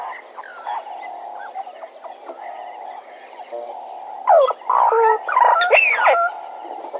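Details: Bennett's woodpecker at Djuma; a quiet bird chorus for four seconds, then a loud outburst of harsh, nasal, sliding calls in quick succession.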